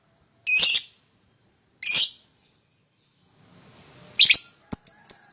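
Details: Young (paud) lovebird pair, played to get a rival bird singing: two separate harsh high squawks, a pause, then a rough burst and quick sharp chirps.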